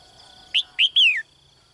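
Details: Single phrase from a female bird in a cage calling to attract a strong male in the morning: two quick upward chirps followed by a long clear whistle gliding down, over a faint steady hum.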